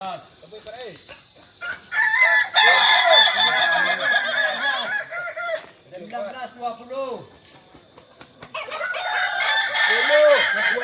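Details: Kukuak Balenggek roosters, an ornamental chicken breed native to Solok, West Sumatra, at a practice contest. Several crows overlap: long strings of arched, stepped syllables at varied pitches, with a steady high whine and crowd noise throughout.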